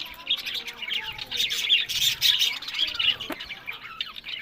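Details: Budgerigars bred as pets in Larkana, Sindh, in rapid, excited twittering, with fast strings of sharp chirps and buzzy warbles running together, plus a single soft thump.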